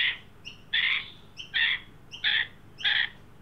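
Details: Australian magpies, an adult with a juvenile, at a backyard birdbath in Sydney during a 43° heat wave on 9 December 2023; four loud, harsh, raspy squawks about every two-thirds of a second, each with a thin high tone before it.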